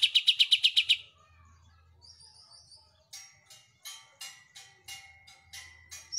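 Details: Greater green leafbird singing actively, its repertoire including the song of an Oriental white-eye: a quick burst of about eight bright ringing notes, a thin high whistle, then spaced sharp chips against a faint low hum.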